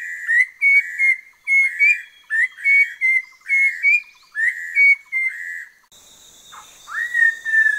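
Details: On the Langbian Plateau in southern Vietnam, an orange-breasted laughingthrush repeats paired clear whistles joined to rough buzzy notes, roughly every second, then a softer rising whistle over a steady high insect-like hiss.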